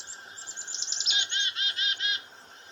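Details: Three Black-capped Chickadees in a bush near a farmhouse, alarmed for about an hour while a goshawk preyed on a dove, give a few thin, high introductory notes, then four harsh, buzzy 'dee' notes in quick succession.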